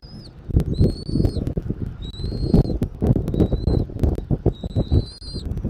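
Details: Bald eagle calling at its nest in Southwest Florida, 13 January 2024, afternoon: six or so thin, high whistles, each under a second and gently arched, heard through loud low-pitched wind buffeting.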